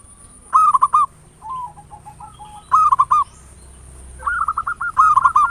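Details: Local zebra dove song used as a lure to provoke other doves to sing, in the ngayer nulop style: rolling, stuttered coos in short bursts about every two seconds, with a softer trailing coo between them and a faint steady high whine.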